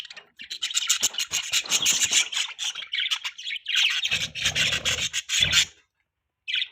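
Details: Pet budgerigars in the morning giving a steady stream of scratchy warbling chatter and squawks, with low rustling or scraping at times, then ending in near silence.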